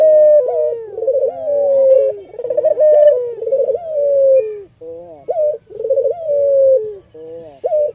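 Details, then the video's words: Albino local Barbary dove cooing, a recording used as a lure to stimulate other doves: rolling, trilled coos that rise into a long level tone, then dip, repeated about every two to three seconds with short gaps. "Pancingan Burung Puter Lokal Albino Gacor Suara Merdu"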